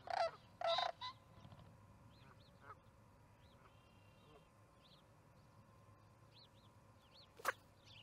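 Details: Suspected sandhill cranes near the Charlo osprey nest, 14 May 2019 at 6:30 pm MDT, give two loud, rolling, harsh calls in quick succession. Faint high chirps of small birds and a sharp knock near the end follow.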